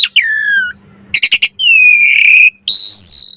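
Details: Asian pied starling song used as a master recording to train birds and as a lure for starlings: long, clear, slurred whistles, a fast burst of four sharp notes, then sustained bright whistled tones.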